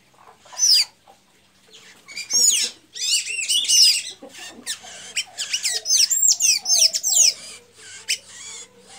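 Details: A blue-gray tanager in Santa Inês, Maranhão, Brazil, sings a fast, squeaky run of thin high notes that slur up and down, rising in bursts and pouring out almost without pause.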